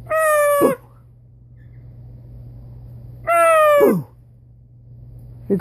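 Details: Pet blue-and-gold macaw in a copying game with its owner: two strong harmonic calls about three seconds apart, each ending in a quick downward slide, with room hum between.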